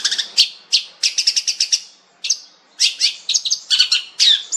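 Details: Cendet, the long-tailed shrike, here called fierce with a rich voice: clusters of quick, high scratchy chirps broken by short pauses, with bright whistled notes near the end.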